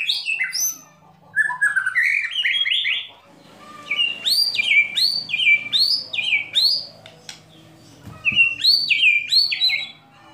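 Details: White-rumped shama kretekan and tembakan for provoking other birds: descending whistled runs, then a string of loud, sharp upslurred whistles repeated about three times a second with short breaks.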